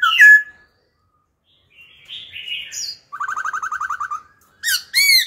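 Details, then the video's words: Laughingthrush, a mature wild-caught bird, singing its wild song with continuous changes of phrase: a sharp whistle, a buzzy warble, a fast run of about twelve repeated notes, then bright rising whistles. "Khướu già rừng hót giọng rừng, đảo giọng liên tục kích bổi hót, tập chim non"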